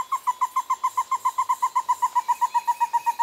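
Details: Stresemann's bristlefront, a fast series of clear whistled notes near one pitch, about three to four per second, evenly repeated and slightly descending through the run, with faint insect hiss in the background.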